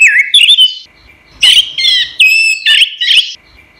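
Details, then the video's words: Song of an orange-headed thrush, a recording used to train caged songbirds: rapid sequence of bright whistled and warbled notes, some sharp and mimicking, in short bursts with brief gaps between them. "suara burung anis merah | gacor | masteran"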